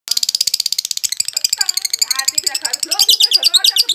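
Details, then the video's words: Violet (ungu) lovebird, a still-untrained young bird, singing in the konslet style. It gives a fast, shrill rattling chatter of evenly pulsed high notes. Lower warbling squeaks run through the middle, then the rapid chatter returns. "Lovebird ungu violet konslet masih bahan"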